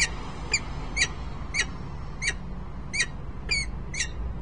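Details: Peregrine falcon pair at Harrisburg, Pennsylvania, on 10 December 2020 around midday: harsh, rasping notes repeated roughly every half second in an even run of eight calls, with low background rumble.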